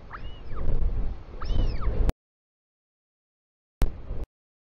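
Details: New Zealand royal albatross chick welcoming its returning father, afternoon of 24 July 2020, nest camera: two high, arched squealing calls over gusty wind, then the sound cuts out, with a brief burst of wind near the end.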